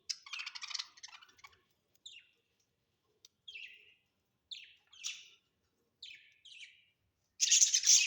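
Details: Pet budgerigars kept at home: a burst of scratchy chatter, then a series of short, downward-sliding chirps spaced about a second apart, ending in a loud harsh squawk.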